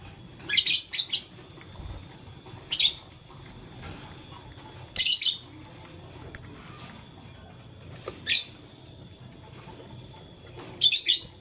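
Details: Morning chirping from pet lovebirds, blue, lutino and green, busy with a flower: harsh high squeaky notes, often doubled, repeated every two to three seconds over a soft steady hum.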